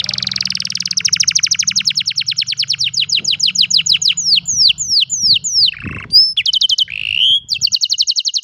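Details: Recorded by cellphone, a canary delivers a long fast trill that gradually spreads into separate falling slurs, a low buzzy dip, a high whistle, and a final quick trill.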